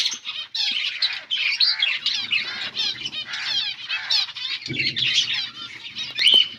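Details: Many finches feeding on green food, recorded August 17, 2024, giving a continuous flock chatter of rapid high chirps and trills with a few louder squeaky notes and a soft low rustle near the end.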